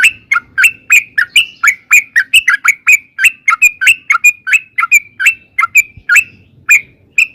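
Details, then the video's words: Sooty-headed bulbul giving a long rapid 'ropel' song used as a lure to make other bulbuls answer: a steady run of short bubbly chirped notes, about three per second, each sharply rising then falling, with faint low background rumble. "trucukan gacor TARUNG ROPEL PANJANG pancingan trucukan agar bunyi jadikan burung trucuk gacor NYAUT"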